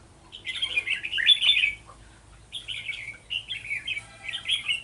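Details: Decoy red-whiskered bulbul singing during a trapping session on 11 November 2018: a rich, tumbling warbled phrase, then a run of shorter chirpy phrases repeated in quick succession.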